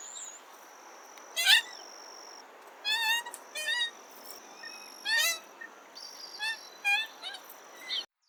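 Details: Common moorhen uttering clipped, harsh, buzzy notes with a rising sweep, in a loose series of single calls and brief stuttered runs, while a steady high whine and scattered faint chirps continue.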